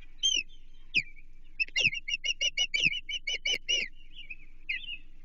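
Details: Ospreys at their Chesapeake nest while an American shad is delivered, June 2023: a couple of whistled notes, then a quick run of about a dozen sharp, repeated chirps, ending in softer whistled calls.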